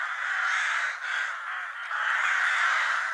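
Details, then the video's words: Crows contesting food produce a thick wall of grating caws, rapid overlapping calls with a short lull near the middle before the chorus swells again. "Crow sounds / Crow call to Attract Crows for food"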